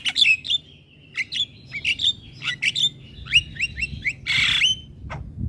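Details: Javan myna singing energetically with head-nodding, used to get lazy mynas singing: a lively sequence of short, bright, upslurred whistles and chirps, broken by a loud harsh rasping burst near the end.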